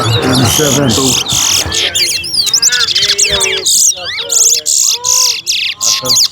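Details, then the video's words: Towa towa (chestnut-bellied seed finch) singing in a bird race competition at Alligator Park: loud, fast warbled phrases of rising and falling sweeping notes in quick succession, with people talking early on. "TOWA TOWA BIRD RACE"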